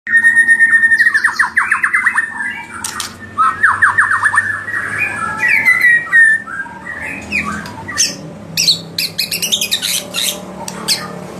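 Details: Provocative white-rumped shama song used to stir rival birds: fast descending trilled sweeps repeated in bursts, then scattered high sharp clicks and chatter.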